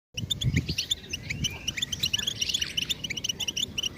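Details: European goldfinch singing a stimulation song: rapid twittering, tinkling notes with buzzy trills running continuously over a low rumbling background, with a few louder thumps near the start.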